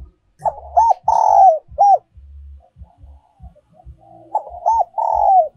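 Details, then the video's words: Spotted dove giving its decoy song, the giọng còi or giọng kim style: two loud phrases of quick coos, each with a sustained falling note and a final short coo, over low pulsing thuds. "cu gay moi chuan mp3/ Giọng còi chuẩn nhất 2022"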